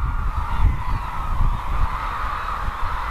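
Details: Flock of cranes at their Izumi wintering site, Kagoshima, Japan, calling continuously: a thick wall of nasal, trumpeting notes from many birds at once, over gusty low-pitched wind noise.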